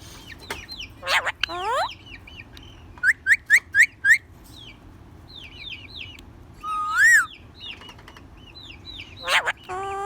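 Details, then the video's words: Talking ringneck parakeet kept as a pet: scattered whistled chirps, a quick run of five bright rising notes, then a longer looping whistle and a loud harsh call, over faint background hum. "Parrot Talking"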